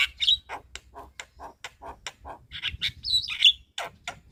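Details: Javan myna singing in a busy, lively master recording for training other birds: quick scratchy chatter notes interspersed with sharp high whistles, delivered rapidly and unevenly.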